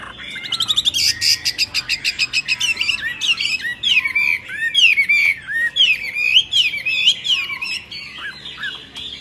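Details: Myna starting with a rapid, even series of clicking, squawky notes, then shifting into varied whistled swoops and chattering phrases, loud and close.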